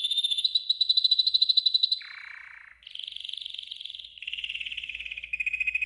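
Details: Yellow golden canary performing training song for learning birds, chaining rapid trills: a ringing mid-high roll, a lower rasping buzz, then several steady trills stepping down in pitch.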